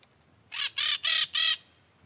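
A peach-fronted parakeet gives four harsh, grating screeches in quick succession, each about a fifth of a second long, over a quiet background.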